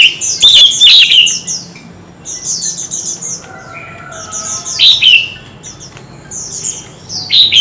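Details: Kept Oriental magpie-robin in a heated singing duel with many voices: a loud opening flourish of sweeping whistles, then repeated groups of high soft twitters and occasional sharp bright phrases.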